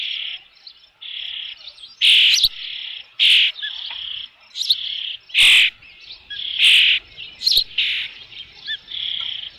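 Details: Osprey calling at the nest with a fish, Dunrovin Ranch, 3 June 2018, about 5 pm: a steady run of shrill, piercing whistled calls, roughly one each second, with fainter whistles in between.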